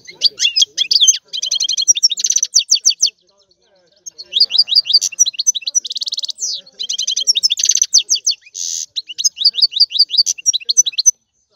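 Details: Fast, high-pitched twittering from a European goldfinch, with tinkling trilled runs and scratchy buzzy notes across three long bursts, separated by brief silences.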